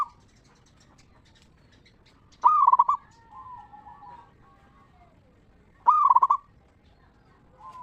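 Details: Lure song of a local zebra dove, ngeristal style, used to stimulate other zebra doves to sing. Two bursts of rolling, trilled cooing spaced about three and a half seconds apart, with quieter drawn-out coos trailing after each.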